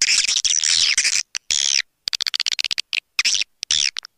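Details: Swiftlet attraction sound with long, harsh, buzzy, high-pitched screeches alternating with rapid runs of clicking chirps.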